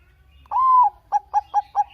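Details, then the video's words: Bangkok-type zebra dove singing actively, recorded for use as a lure for other doves: one drawn-out, even coo followed by four short clipped notes repeated about every fifth of a second, clear and sweet, with a quiet background. "perkutut bangkok gacor kutut bangkok gacor manggung suara merdu"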